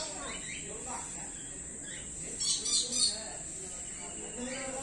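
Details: Captive common hill myna at Jamshedpur Zoo after lockdown mimicking speech: quick speech-like syllables, then a louder burst of harsh notes near the middle, with a steady shrill insect drone throughout.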